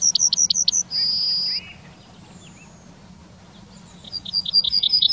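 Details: In Wittlich town during 2019, a Yellowhammer repeats rapid high notes that end in a sustained, drawn-out tone, then after a short gap starts the next series of quick notes.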